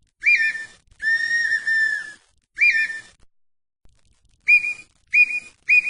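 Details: Brazilian red-winged tinamou whistling. Short rising notes alternate with a long, level, flute-like note over a second long. After a pause comes a quicker run of three brief whistles. No other sounds are heard.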